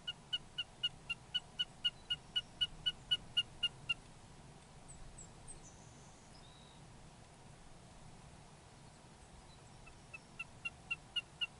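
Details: Wilson's snipe recorded at Rosedale, Alberta, Canada: a fast, regular string of short clipped notes, roughly four per second, for about four seconds, then a long pause with faint distant bird sounds, before the series resumes near the end.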